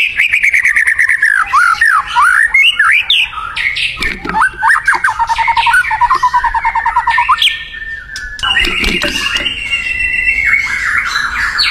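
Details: White-rumped shama in the wild, singing actively: a long, varied outpouring of slurred whistles, fast trilled runs and harsher squawky notes, with a steady high whistle near the end.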